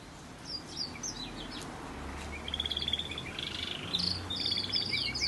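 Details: Variegated red factor canary singing waterslager melody: high, thin whistled phrases, then rapid rolling trills, over steady background hiss and low hum.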